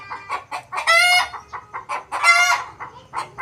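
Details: Desi rooster crowing within a clucking flock; two prominent harmonic crows about a second and a half apart, with quick clucks continuing between and after.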